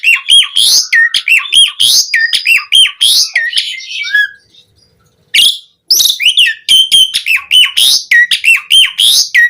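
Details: Black-collared starling song as a lure and tutor for caged birds, powerful and varied: fast repeated whistled notes with sharp drops, a brief pause, then the quick whistled pattern resumes.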